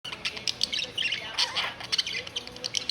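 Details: Family of six pet budgerigars chattering together, a dense mix of quick high chirps and warbling notes overlapping throughout with no pauses.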